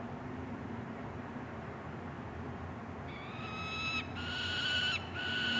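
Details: After a few seconds of background hiss, a juvenile peregrine falcon at a Columbus, Ohio nest ledge, June 2016, starts calling: short rasping screams growing louder and longer.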